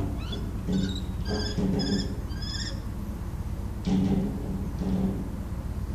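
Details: Common kestrel at a meteorological station pipe window, eating a mouse and defending it from a second kestrel, recorded on a phone: a few shrill, short rising notes in the first three seconds, then low thumps and handling noises.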